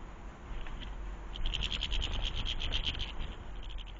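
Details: European goldfinch at a garden bird feeder in the UK, caught by a camera that had fallen to the ground: a run of quick, bright tinkling twitter notes repeated about twice a second, over a steady background hiss.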